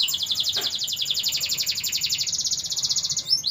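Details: A canary delivers a sustained rapid roll, a dense stream of high pulsed notes repeated several times per second, with a brief chirped phrase at the very end.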